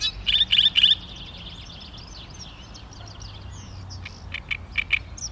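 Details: A great reed warbler, recorded 16 May 2013, gives three loud, grating croaks in quick succession, then softer chattering notes and a few more harsh, rasping calls near the end.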